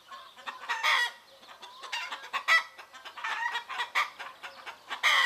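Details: Greek farmyard chickens in the morning, a steady stream of overlapping clucks and short nasal squawks, with louder outbursts near the start, middle and end.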